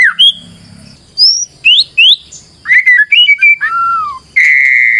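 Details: White-rumped shama song used as a lure: varied loud whistled phrases, rising slurs and a long falling whistle, ending in a sustained buzzy note, with pauses between phrases.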